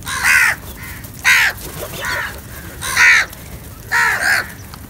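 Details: Crows feeding together, several caws in quick succession: harsh, ragged calls repeated about once a second, some doubled, loud and close against a faint background.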